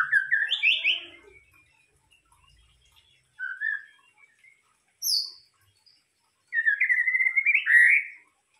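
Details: 'Pancingan' song of a White-rumped shama, played to trigger other birds to sing: a loud tumbling whistled burst, then scattered short warbles, a high thin slur, and a long fluttering whistled trill near the end.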